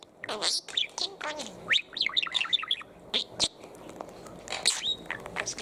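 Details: Pet male parakeet chattering: quick sweeping chirps and squeaky syllables in lively bursts with brief gaps, bright and high throughout.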